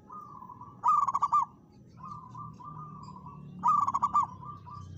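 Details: Local zebra dove singing vigorously to challenge a rival and sing along with it: two loud bursts of about five quick, rolling cooing notes, with softer, steadier cooing phrases from a second bird between them.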